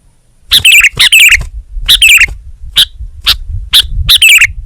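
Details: Sooty-headed bulbul, a lively songbird, giving rich warbled phrases followed by single sharp chirps spaced about half a second apart, then one more bubbly phrase.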